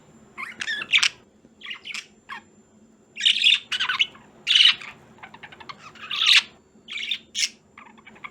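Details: Two pet budgerigars indoors around Christmas chattering busily: bursts of high chirps, scratchy warbles and short squawks in uneven runs, with a low room hum beneath.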